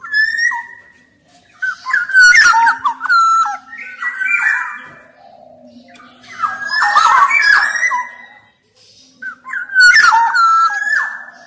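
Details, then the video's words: Black-naped oriole singing actively: three bursts of fluty, stepped whistles that jump between a low and a higher pitch, each mixed with harsh, rasping squawks, separated by short pauses. "Kicau Suara Kepodang Emas Gacor"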